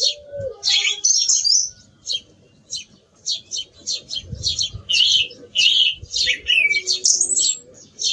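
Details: Song thrush singing a dense series of loud, varied high phrases with rising and falling whistles, joined at the start by a single low hoot.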